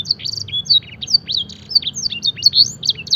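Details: Fancy canary song used for training, mimicking blackthroat and edel sanger phrases: a lively string of varied high whistles, upslurs and short buzzy notes, delivered without pause over a low background rumble.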